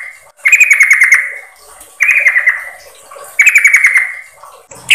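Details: Lure recording of a female yellow-vented bulbul calling to the male: three clear chattering phrases of quick notes drifting slightly downward, spaced about one and a half seconds apart, over a quiet background.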